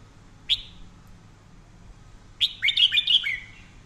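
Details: Red-whiskered bulbul song for daily voice training, described as fine, fiery singing: one sharp whistled note, a pause, then a quick warbled phrase of five or six bright, slurred whistles, over a faint low hum.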